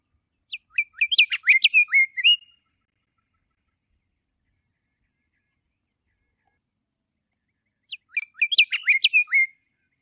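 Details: Scott's Oriole song: two short bursts of clear, slurred whistles around mid-high pitch, each lasting about two seconds and separated by roughly five seconds of silence, with no other sounds.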